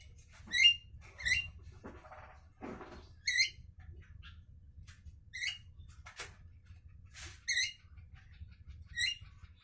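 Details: Javan myna in the morning giving sharp, squeaky notes with buzzy overtones, spaced a second or more apart, mixed with a few rasping bursts over a steady low hum.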